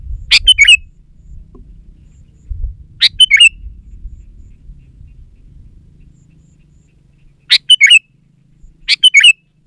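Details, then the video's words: Sooty-headed bulbul song used as a lure to coax reluctant bulbuls into singing and to call wild birds. Four short, loud, bubbly chirping phrases come in irregular bursts over faint low rumbling. "Suara Burung KUTILANG GACOR Untuk Pancingan Ajaran Pikat BURUNG KUTILANG Malas Bunyi di Kebon"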